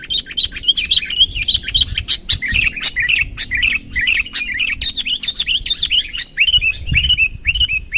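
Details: Sooty-headed bulbul calling a rival closer, lively whistled chirps, some slurred downward, delivered nearly twice a second in uneven bursts, ending with clearer spaced arched notes over a steady high hum.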